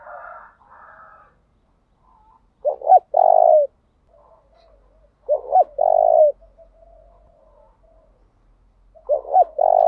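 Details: Decoy spotted dove used to provoke wild birds into cooing, varying its song: three phrases roughly three seconds apart, each two quick hooting notes and a drawn-out, throaty, level coo, with quiet murmuring between.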